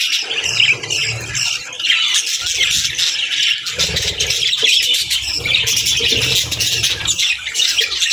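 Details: Budgerigars and lovebirds, young birds at feeding time; constant dense high chirping and squeaky calls, with recurring low rumbling in the background.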